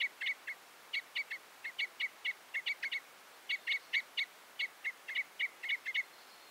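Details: Fast, rhythmic runs of short clipped notes from a Common Crossbill, grouped in twos and threes, almost continuous.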